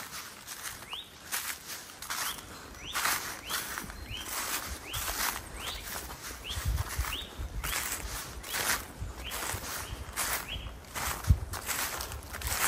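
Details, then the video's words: On a winter's day at a chateau, a great tit sings in the background a thin two-note see-saw song, alternating higher and lower notes (hee, ha), under loud crunching footsteps and outdoor noise. "In the background a singing great tit ( Parus major ) is audible, with a song consisting of two notes, an alternating higher and lower one (like a lumberjack, using a saw on a tree: hee, ha, hee, ha)."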